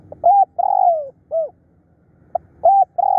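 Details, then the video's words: Fierce, persistent decoy calling of a spotted dove: repeated mid-pitched cooing phrases. Short clipped notes lead into longer, even coos, one drawn out and gently falling, with brief pauses between phrases. "เสียงต่อนกเขาใหญ่ ดุดัน ขยันเรียก"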